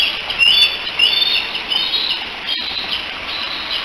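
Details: Three bald eaglets in their nest at Decorah, 16 July 2018, chatting together and probably calling for their mother: thin, high whistled chirps, a couple of clearer rising notes near the start, over a steady airy hiss.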